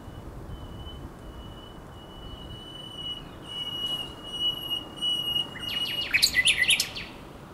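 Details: Nightingale at night on the Żerań Canal, 23–24 April 2022: a long, pure, steady whistled tone held for several seconds, broken by a loud, jumbled rush of rapid notes near the end.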